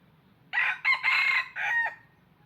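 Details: Decoy red junglefowl crowing, used to lure wild birds for trapping: one loud harsh crow of four segments, a short burst, a quick second note, a long sustained middle and a falling final drawl, over a quiet background.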